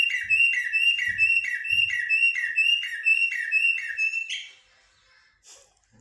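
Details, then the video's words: Shahrour or jahmumiya blackbird in haddadia and military song styles: a run of about nine identical short whistled notes, each dropping slightly in pitch, repeated roughly twice a second, ending in a higher note and quiet, with low thuds. "طائر الجحمومية أو الشحرور بتغاريد حدادية و عسكرية"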